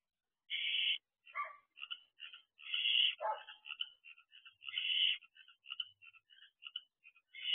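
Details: A young barn owl sways in the nest box doorway at 11:25 pm on 31 May 2023. Its long rasping screeches are mixed with many short, clipped hissing notes in an irregular, busy series over a quiet night background.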